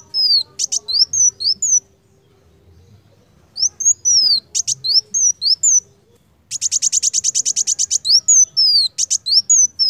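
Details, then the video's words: Sunbird singing high, thin, sharp twittering phrases in short bursts, then a fast, even trill of about a dozen notes a second, over a faint low hum. "KOLIBRI WULUNG GACOR"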